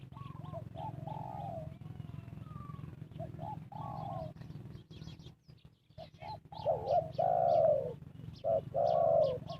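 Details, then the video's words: Spotted doves calling during trapping of wild birds with a decoy. Distant repeated coos give way to louder, close two-part coos near the end. A low droning hum sounds throughout, with a brief rustle midway. "Cara Pikat Tekukur memanggil Burung Liar,Bẫy cu gáy bằng mồi trồn"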